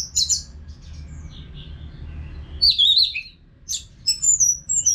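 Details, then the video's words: Orange-headed thrush song played to train caged birds: a brief high chirp, a quiet pause, then a burst of warbled whistling and scattered sharp high notes separated by short silences. "ANIS MERAH GACOR TIADA HENTI TANPA NGETEM BAGUS BUAT TERAPI BURUNG AGAR IKUT NGEPLONG NYAUT"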